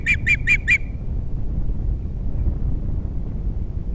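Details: Osprey pair's nest at Captiva, three chicks present, nest camera, 21 February 2022: four quick, sharp whistled chirps in under a second, then only a low wind roar.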